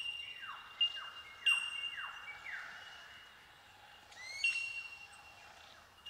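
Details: Chorus of bell miner tink calls in a eucalyptus forest of the Australian bush at Watagans: an unbroken high ringing tone with scattered sharper pings, overlaid by a series of sweeping descending whistles and soft background hiss.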